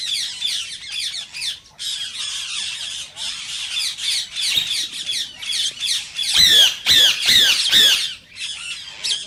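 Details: Green rose-ringed parakeet calls, said to stir other parakeets to sing and mate. Harsh squawks come in short repeated bursts, building to loud, separated screeches near the end.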